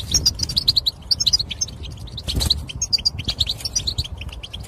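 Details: European goldfinch calls for stimulating males: short clusters of sharp, high tinkling chirps in quick groups, separated by brief gaps, over a soft low background noise.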